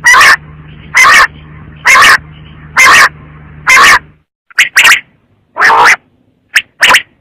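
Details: Quail calling: loud, harsh, distorted bursts repeated about once a second, at first evenly spaced, then in uneven doubled notes, with a low electrical hum beneath the first half.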